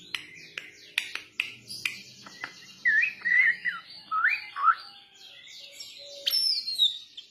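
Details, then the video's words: Young Bali myna lure song: broad clicks and harsh bursts, then rising and falling whistled slurs mid-clip, followed by scratchy high chatter and thin notes. "Pancingan Jalak Bali Muda"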